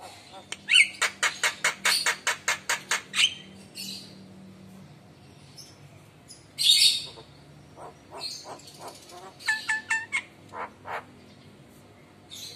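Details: Javan myna, a fully mimic-trained bird, singing actively and bobbing its head in response to lure calls from other mynas: rapid runs of sharp repeated clicks, then scattered harsh bursts and bright whistled notes, with a faint low hum behind.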